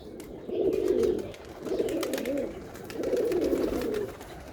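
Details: Pigeon (kabutar) cooing in three low, rolling, throaty phrases, each about a second long and separated by short pauses, with faint background hiss.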